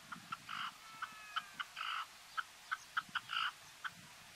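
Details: A red-legged partridge on Gran Canaria, Canary Islands, Spain, in November 2022 gives harsh, chuffing bursts mixed with short clipped notes, uneven and rapid over a few seconds, against a quiet background.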